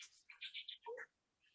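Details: Gray Catbird in June in a nature conservancy gives a quick jumble of squeaky, chattering notes jumping between high and mid pitch, then falls silent, faint background hiss.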